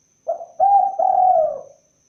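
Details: Spotted dove making one three-part coo: a short soft note, a steady mellow coo, then a longer coo that trails away downward. A quiet room with a faint high hum.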